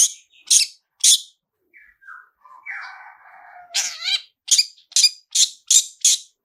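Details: Long-tailed shrike lure with rich fill-in phrases: a few harsh high notes, a quiet stretch of soft lower warbling and whistles, then a quick string of scratchy, repeated 'toet' bursts.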